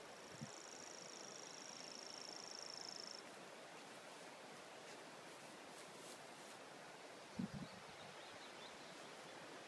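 A Grasshopper Warbler gives a very high, even, insect-like reel held for about three seconds before stopping, over a steady rustling hiss and a couple of low thumps.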